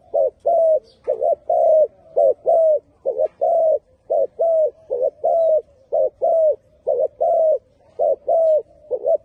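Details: Repetitive cooing song from a spotted dove, brief paired notes and longer level coos cycling about once a second across the whole stretch.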